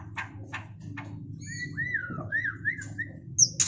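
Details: White-rumped shama singing while mating: three short dry clicks, then a run of looping, warbled whistles rising and falling, ending in a sharp high chip, over a low steady background hum.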